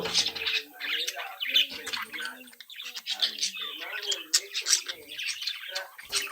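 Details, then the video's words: Young captive-bred budgerigars, a brood of chicks playing and interacting, chattering together; busy high chirps and warbling twitters mixed with lower squeaky notes in a continuous jumble. "Sonidos de Mi Cría de Periquitos Australianos"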